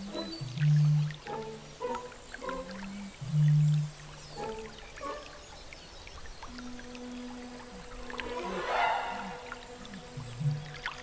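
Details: A Eurasian bittern in northern Belarus (Poozerye) gives two deep, hollow mating booms a few seconds apart, like a distant foghorn or bull's roar, from flooded reed beds; soft background music carries on afterward.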